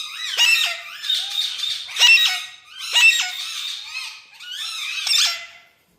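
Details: A pet Indian parrot produces a rolling series of hoarse, chattering squawks in four loud waves, then falls silent at the end.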